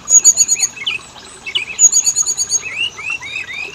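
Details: Oriental magpie-robin singing as a lure for males and females: bursts of rapid high ticking trills alternating with short rising whistled slurs, a brief pause between phrases.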